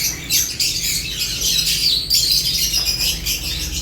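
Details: Lovebirds eating, with quick, sharp chirps running almost four per second amid a thick layer of overlapping squawky chatter and a steady low hum.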